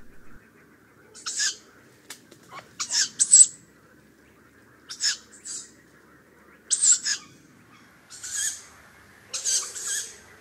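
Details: Tawny owlets that recently left the nest give begging calls at dusk or night, asking their parents to bring food: harsh, hissing screeches, six in ten seconds at uneven gaps, with quiet background in between.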